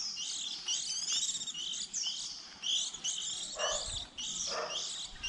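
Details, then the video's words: Juvenile white-eyes newly out of the nest around April, early season, played to attract birds to traps: busy high-pitched twittering chatter, near-continuous, with two short dips and a faint low thump near the end. "Tiếng khuyên non đầu mùa 2020"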